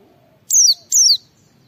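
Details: White-eye ngalas song used as a lure for other white-eyes: two clear, high, downward-sliding whistles in quick succession, under half a second apart.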